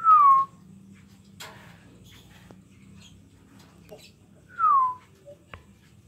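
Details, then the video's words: Small blue lovebird chick heard with two separate whistled notes, each falling in pitch, one at the start and one near the end, with soft clicks and a quiet low hum between them. "burung love bird biru anakan parung coreng"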